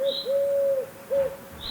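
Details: Eurasian Collared Dove in the city of Neuchâtel, where it lives in urban and residential areas, gives a low, hollow three-syllable coo: a short note, a long drawn middle note, then a brief last one; thin high whistles from another bird sound faintly.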